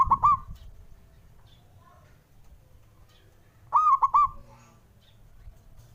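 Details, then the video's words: A male zebra dove challenging rivals sings short, gurgling phrases of three quick soft coos, the phrase repeated roughly every three and a half seconds over a low background rumble. "Perkutut Manggung Santuy & Los Bikin Lawan Emosi❗"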